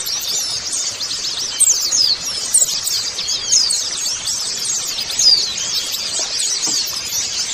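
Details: A colony of white-eyes in a dense, unbroken high twittering of quick thin chirps and trills, with many notes overlapping throughout. This audio is used to prompt captive white-eyes to sing.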